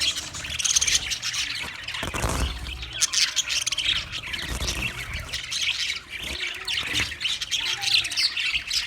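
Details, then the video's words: Budgie song from 14 March 2024. Busy high chattering mixes rapid chirps, harsh squawks and scratchy warbles. A few short low thumps at about two, four and a half, and seven seconds are probably wing flaps or movement. "Beautiful Budgie Singing Chirping sounds"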